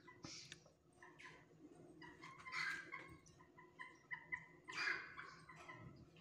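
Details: A pair of pale-breasted thrushes bravely defends their chick against a laughing falcon, bursting into harsh, scratchy calls in irregular, agitated volleys, some rising to sharp chattering peaks, over a faint low background hum.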